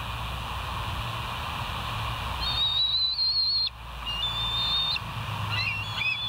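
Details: West End bald eagle on a nature live cam, early morning of 25 August 2023, 06:58; long, thin, high whistles held steady for about a second each, then short squeaky notes, over a constant low hum.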